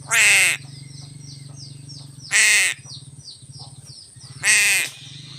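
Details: While taking fish, a crow utters three hoarse caws roughly two seconds apart, with a low droning hum and faint small-bird chirps behind.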